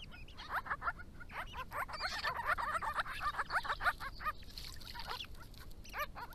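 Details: Resident grey-crowned babbler family drinking and diving in and out of water during hot weather in Victoria; a dense, continuous run of rapid harsh chattering notes, several birds overlapping, with splashy broadband clicks.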